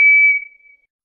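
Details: A lone high whistled note of White's thrush, already sounding at the start, stays level in pitch and tapers away within under a second. The setting is otherwise silent.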